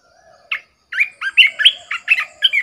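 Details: Red-whiskered bulbul decoy bird singing: a clear run of about eight loud, rich warbled notes, each a quick bubbling phrase, delivered in steady succession after a brief faint opening, with a quiet background.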